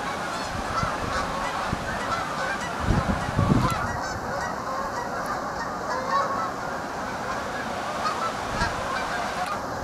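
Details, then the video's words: Massed flock of geese keeping up a continuous overlapping honking din, with a few low bumps and thuds in the first half. "A Whole Lot of Flocking Geese"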